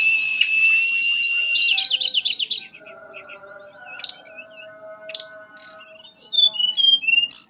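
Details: Mangrove blue flycatcher song, a sweet fluting performance: a steady high whistle, then rapid rising slurred notes in quick series, later scattered sharp chips and thin whistles, with faint low background hum.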